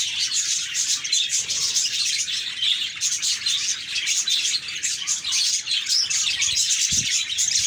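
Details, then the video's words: Budgerigars chirping together in a busy, high warbling chorus of quick squeaks and tweets, continuous from start to end, with a faint low knock near the close. "Budgies Chirping"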